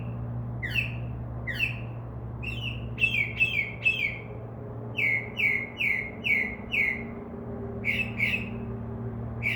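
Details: Northern mockingbird singing from a tree outside a window after midnight, a bird that copies crow caws and dove wings: falling whistles given twice, then bursts of quick repeated notes in runs of three to five, over a low hum.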